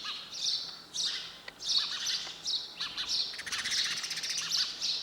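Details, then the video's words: Sparrow chirping: bright, high chirps come in quick bursts about every half second, overlapping into a steady chatter, with a faint low hum in the background. "Sound of sparrow bird"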